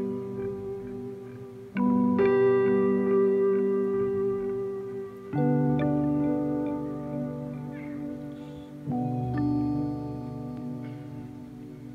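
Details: Ringing mallet-percussion music with sustained bell-like tones struck every few seconds; no animal sounds are heard.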